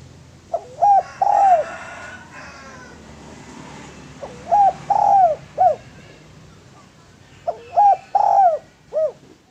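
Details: Spotted dove singing actively, used as a lure and as a training model for other doves: three phrases, each of short hooked coos followed by a long downslurred coo and a final curved note, several seconds apart.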